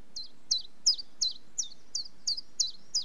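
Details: Common chiffchaff song: a steady run of bright, high two-part notes, each a sharp descending chip with a short dip, repeated about three times a second in an even chiff-chaff rhythm over quiet background.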